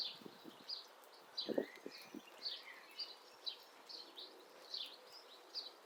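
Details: Female Syrian woodpecker slowly carving a nest hole in an old apple tree in mid April: dull, irregular wooden knocks and chips, mostly in the first two seconds, under steady high bird calls repeated about twice a second.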